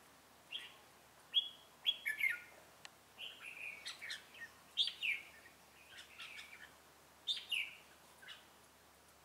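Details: Ché-style song of a red-whiskered bulbul serving as a call bird in trapping, 25 June 2018: a series of brief whistled, slurred phrases every second or so, soft and distant, over hiss.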